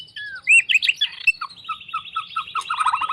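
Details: Varied, loud song from a champion-minded fighter white-rumped shama, with a rising whistle, rich warbled notes, and then a rapid series of short lower notes beneath a high buzzy thread.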